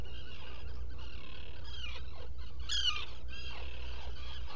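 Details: Black guillemot inside a rock-crevice nest burrow on Seal Island NWR, Maine, picked up by a burrow camera before dawn on 20 June 2018. Squeaky, harmonic calls rise and fall in short bursts, with one sharper squeal midway, over a constant low hum.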